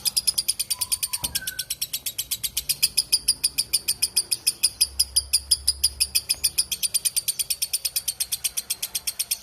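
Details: Lovebird giving a long 'ngekek' chatter, kept as a clear training recording for other songbirds: a fast, harsh, evenly repeated chattering of about seven notes a second that runs without a break, with a few soft, lower whistled notes near the start.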